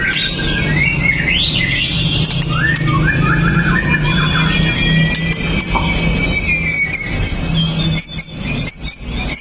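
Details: Fighter white-rumped shama (murai batu), 'pastol' style with sharp 'tembakan' notes, captured on a Xiaomi Note 8 Pro as a lure for other shamas: a long sustained whistle, then brief twittering bursts above a constant low humming background.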